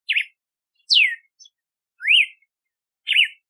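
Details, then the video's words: Red-cowled cardinal song, clear whistled phrases: a zigzag note, a long falling slur, a rising arch and another zigzag, spaced about one second apart on a silent background. "Canto do Cardeal do Nordeste / Galo de Campina / Campina | Red-cowled Cardinal | Paroaria Dominicana"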